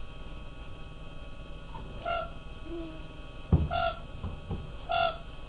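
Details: Siberian cranes at night in the Oka Biosphere Reserve; three clear whistled calls, each short and slightly falling, spaced about a second or more apart over a steady low hum and a couple of dull knocks.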